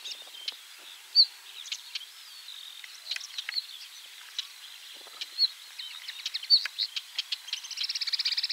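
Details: Common linnet (Linaria cannabina) song at 51.880598, 20.116961: a fast, rambling twitter of high chirps and short warbles, ending in a rapid buzzy trill, over faint background hiss.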